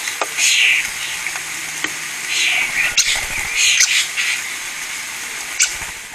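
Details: Starlings eat in a Scottish cottage garden at Scone, Perthshire, on a spring afternoon. Their calls are bursts of harsh squeaks and chatter, with a broad hiss and occasional taps.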